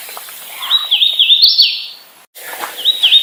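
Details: Hooded warbler singing a run of clear, slurred whistled notes that dip and rise, climbing to a brighter, higher phrase, then a short restart after a brief break.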